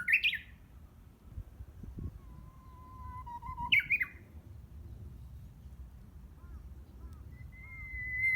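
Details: Japanese bush warbler practising song around June, out of sight in greenery behind a home; a trailing flourish, then a full phrase of long whistle and quick rising-falling notes, ending on another steady whistle.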